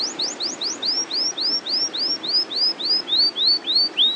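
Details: Canary singing a long rolling phrase of arched whistled notes repeated about four times a second, evenly spaced and gradually dropping slightly in pitch.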